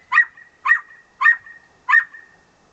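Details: Pet parrot barking at the neighbours' dog, mimicking a dog: four short, hoarse bark-like yaps about every 0.6 seconds, each ending in a faint whistled tail, with no other sounds.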